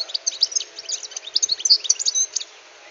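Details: European goldfinch, caught wild and caged for six months, sings a fast burst of high, tinkling twitters and sharp chirps, densely packed for over two seconds before falling quiet.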